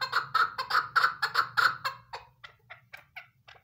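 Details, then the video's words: Female chukar partridge, used as a hunting call, gives a rapid series of harsh, clucking chucks, about four a second, loud at first and then fading, over a low hum. "keklik sesi ||chakor female madi"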